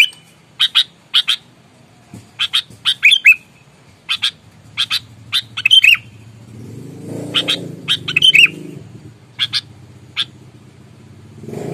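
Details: Aggressive sooty-headed bulbul lure bird gives sparse, sharp chip notes and short slurred whistles in small groups, while a low rushing noise rises in the background partway through.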